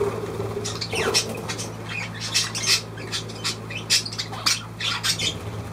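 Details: Budgerigar making short harsh squawks and chirps, about ten bursts in under six seconds, against a constant low hum.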